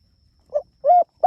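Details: Spotted dove, a frequently calling bird, calling its companions: a short low coo followed by a longer mellow coo, with the start of another note at the end.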